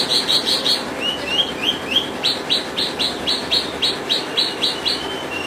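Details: Branjangan, or Australasian bush lark, singing rapid, high, thin chirps and short downslurred whistles, several per second, over a steady hiss of background noise.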